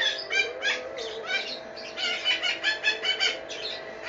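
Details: Pair of pet red-breasted parakeets, recorded 01/04/2017 and described as happy. They keep up busy overlapping chatter of rasping squawks and short whistles that swell roughly three times a second, over a faint background hum.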